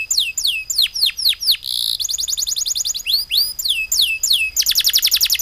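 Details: Songbird delivering fast, ringing down-slurred whistles in quick sequences, broken by a short buzzy note and ending in a rapid high trill, all very high-pitched and clear.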